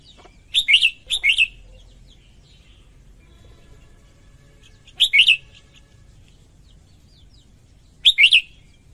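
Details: Female red-whiskered bulbul singing to stimulate males, short whistled triplet phrases: a quick pair, then single phrases roughly every three to four seconds, each loud, clear and slurred.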